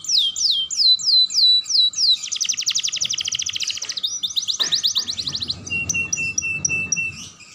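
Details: A young canary's stimulating song for other canaries, opening with repeated swooping whistles, moving into fast buzzy trills, then ending with a steady high tone broken by brief chips.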